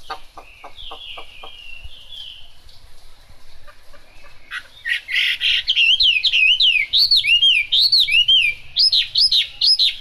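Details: Chinese hwamei singing in the rain: after a few seconds of faint calls, loud clear whistled phrases start, looping up and down in quick repeated notes, growing more varied and rich toward the end.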